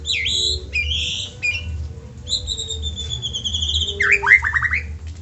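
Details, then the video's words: White-rumped shama song used to prompt other shamas to sing: drawn-out high whistles and wavering notes, ending in a quick descending series of slurred notes, with a steady low hum. "PANCINGAN MURAI BATU MEDIA RJB untuk burung murai batu AGAR CEPAT GACOR"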